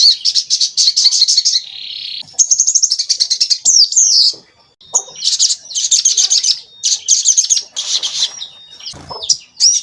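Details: Javan kingfisher calls from a lure recording for provoking and trapping the species: repeated bursts of rapid, high, rattling notes, several phrases in a row with short gaps and a few sharp rising squeals.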